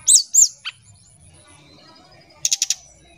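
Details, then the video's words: Oriental magpie-robin in nyuling style, a lure sound. Two loud looping whistled notes open, followed by a short rasp, a pause, then four quick harsh scratchy notes. "Suara Pancingan SRDC Nyuling"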